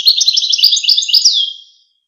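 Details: Goldfinch song: a dense rush of quick high twittering notes lasting under two seconds and ending in a clear falling slurred note.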